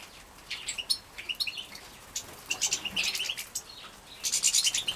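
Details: Young captive-bred European goldfinches being fed in Poland in 2017: scattered high, thin chirps come in short bursts, quiet at first, then denser clusters of sharp twittering toward the end.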